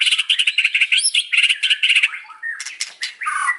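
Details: White-rumped shama afternoon song: a rapid pulsing series of harsh buzzy notes repeated in quick succession, then a high squeak and varied rasping, whistled phrases.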